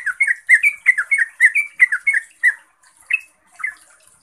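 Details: Yellow-vented bulbul song of the kind used to train caged bulbuls: a rapid chattering burst of bubbly, warbled notes for about two and a half seconds, then a pause and two lone slurred notes.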